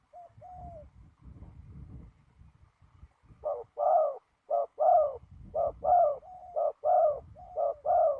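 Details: Spotted dove decoy calling on the ground while trapping on a windy day. Two soft, thin, falling coos open, then after rumbling noise come six strong two-part coos, short note then drawn-out purr, about one per second.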